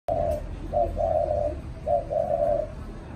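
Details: Hand-raised caged spotted dove cooing in contest: low hollow coos in phrases of a short note followed by a longer drawn-out rolling coo, repeated twice, in a quiet indoor setting.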